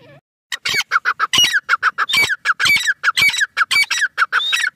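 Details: Grey francolin calling during the last month of the breeding season, in a loud, harsh, rapid series of repeated notes, several per second, with squeaky rising phrases mixed in.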